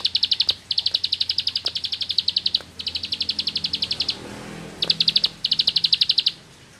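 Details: Bar-winged prinia from rice fields singing in the rapid 'nembak ngebren' style: bursts of fast, evenly repeated high chipping notes, each run lasting about a second, separated by short pauses, with faint low background hum.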